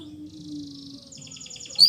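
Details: Canary song used to coax silent canaries back into singing: a fast high trill changing to a higher rattling trill, ending in a sharp whistled note, with a faint steady low hum beneath.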